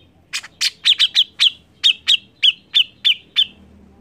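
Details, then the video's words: Grey-cheeked bulbul singing to prompt other birds to sing. About a dozen short, sharp chirps with whistled tips come in an uneven burst, roughly three per second, against a quiet background. "CUCAK JENGGOT GACOR Untuk Pancingan bunyi"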